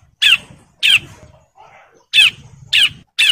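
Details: Male bar-winged prinia in breeding condition calling females gives harsh, squawky high notes in bursts about half a second apart, with low background rumble between them.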